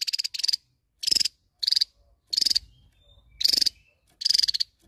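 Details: Javan tesia calling to challenge a rival: repeated short, high, buzzy rattles of rapid pulses, bursts coming roughly every half to one second, with soft low rumble behind.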